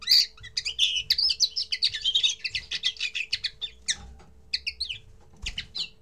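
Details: Common linnet, its first song: a rapid, varied twitter of chirps and short trills, dense in the first two seconds and then breaking into spaced bursts, with a faint steady hum beneath.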